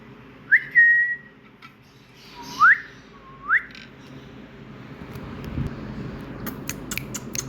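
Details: Indian ringneck parrot giving a few brief upswept whistles and one level whistled note over a low steady hum, followed by faint clicking.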